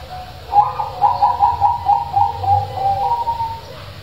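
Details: A loud-voiced local wild zebra dove, used as a lure to get quiet doves singing, sings a quick, bubbling run of soft, rolling coos lasting about three seconds, over a faint low hum.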